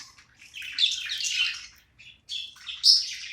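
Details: Budgerigar at play giving a loud scratchy warbling phrase, a short gap, then more buzzy chirps ending in a sharp high squeak, indoors.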